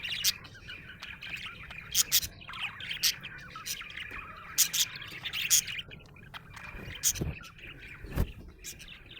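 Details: A happy budgie chirps in irregular bursts of buzzy, scratchy notes with a few loud sharp squeaks; low thumping noises are heard near the end.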